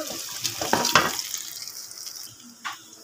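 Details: Kitchen sounds of a running tap and washing water, with brief clinks and splashes fading toward quiet.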